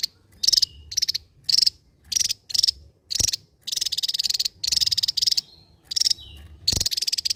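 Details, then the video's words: Javan white-eye, a Java endemic, singing a powerful ngebren song: long harsh buzzing rattles at high pitch, nearly continuous, with thin whistles and a low thump or two in the background. "SI MUNGIL BERSUARA T4JAM..SANG BURUNG ENDEMIK JAWA YANG MEMUKAU,GACOR NGEBREN BAK BURUNG BESAR"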